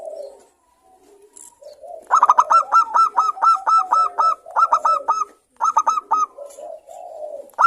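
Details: Local zebra doves in full song, several calling back and forth, used as a lure to stimulate another dove to sing quickly: a soft low coo, then a fast run of about a dozen bright, clipped, rising-falling coo notes in rhythmic bursts.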